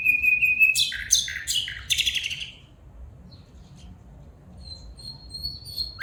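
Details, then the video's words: Female bulbul calling: a thin steady whistle opens, then three loud, rich, buzzy notes slide downward in quick succession, followed by quiet pauses and a faint high whistle near the end. "بلبل پرندہ کی خوبصورت آواز میں فیمل بلبل بلا رہا ہے"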